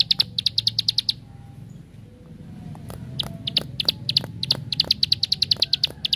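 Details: Bar-winged prinia (ciblek sawah) song used as a lure to provoke other prinias to sing: fast bursts of sharp, high chipping notes, a pause of about two seconds, then irregular chips building into another rapid run over a low hum.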